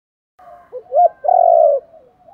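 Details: Spotted dove cooing, a recording used to lure wild doves: a soft low lead-in note, then a short hollow hoot and a longer, rolling, slightly quavering coo that fades out. Clean, with no other sounds.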